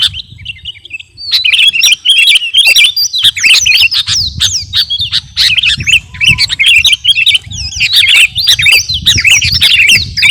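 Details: Kutilang garuda, a caged sooty-headed bulbul, delivering a dense training song: a sparse opening, then a long unbroken torrent of sharp chirps and bright whistled slurs, over a steady low rumble.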